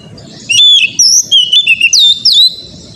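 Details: Oriental magpie-robin singing, used as training material for another bird: a short run of loud, slurred whistles, some gliding down, others rising sharply, in quick succession over a faint low rumble.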